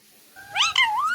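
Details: A pet parrot, possibly an Indian ringneck, being coaxed to say "mithu" gives a short, voice-like utterance under a second long: a drawn-out nasal tone that bends up and down with rich harmonics and rises sharply at the end.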